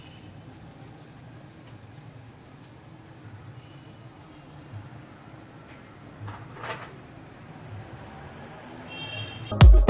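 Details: Steady low hum and indoor noise, a brief scraping sound midway and a loud rustling burst at the end, with no animal voice.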